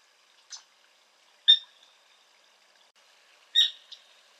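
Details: Sora calling: short sharp high notes spaced about two seconds apart, each a brief bright burst with faint ringing overtones, in an otherwise quiet setting.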